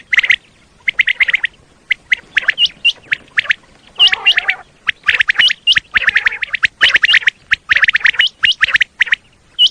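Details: Repeated common quail calls for quail hunting in Pakistan: dense runs of short, scratchy chirps with frequent high, flicked whistles, nearly continuous over about ten seconds, with brief gaps.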